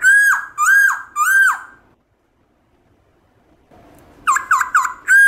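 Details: Wild-style song of a Black-throated laughingthrush, used to make caged birds sing: three loud arched whistles, a silence of two seconds, then rapid dipping notes resuming.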